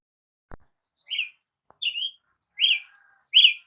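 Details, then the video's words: Brazilian tanager delivering four drawn-out, slurred notes that grow louder toward the end, each sliding down then up, after a single sharp click. "canto de Tiê sangue"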